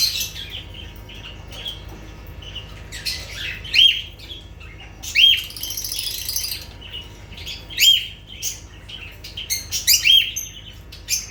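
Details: Lovebirds uttering piercing, rasping squawks at irregular intervals. A denser burst of grating chatter comes near the middle, with a sequence of sharp calls toward the end.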